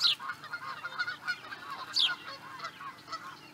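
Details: Osprey at Charlo, Montana, USA, in 2017: two sharp, high descending chirps about two seconds apart over a steady hiss of background noise.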